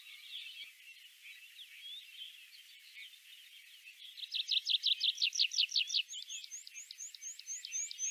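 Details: In Central Russia, a tree pipit sings a soft jumble, then a loud run of about a dozen rapid chipping notes, ending in a series of thin, high, drawn-out notes.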